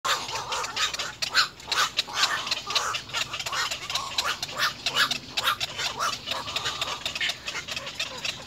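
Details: Little egret chicks at the nest with their mother give harsh, rasping begging calls in rapid uneven bursts, roughly several per second, with loud peaks throughout and no other clear sounds.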